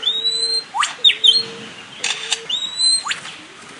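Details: Lyrebird calling with long, flat, pure whistled tones and sharp upswept notes, sounding almost mechanical, interspersed with brief noisy bursts.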